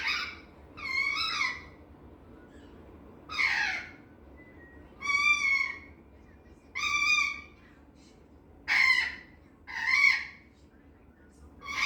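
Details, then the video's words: Young male green Eclectus parrot, relaxed in his cage, chatters to himself in high pitch that sounds like crying: about seven loud, nasal, wavering cries, roughly one every one to two seconds, over a quiet background. "Why Does My Parrot Sound Like He’s Crying"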